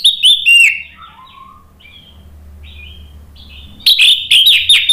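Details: Orange-headed thrush (anis merah) song used to provoke a bird into singing: loud rich warbled phrases around the start, a quiet gap with faint low murmurs, then another burst of bright varied whistled notes.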